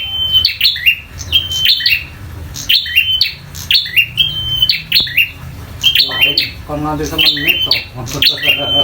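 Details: Local bar-winged prinia singing fighting song; rapid repeated bursts of sharp high chips ending in a steady thin whistle, roughly one phrase each second, over a low hum and faint chattering.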